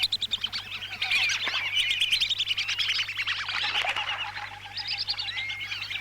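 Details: Lure recording of lesser whistling ducks from Lampung, Indonesia: many birds giving rapid high whistles and twittering notes that pile up into a busy, uneven chatter, a low constant hum underneath.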